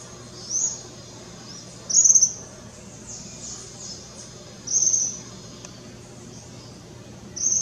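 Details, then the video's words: Calls of a young Tropical Kingbird in Rio de Janeiro's Parque da Chacrinha, February 2019: thin, high, buzzy notes, one soft and three louder, separated by pauses of about one to three seconds, with low background hiss. "Suiriri jovem vocalizando"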